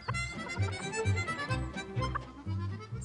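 Reedy harmonica-like music with steady low bass notes and sustained chords; no animal voice is heard.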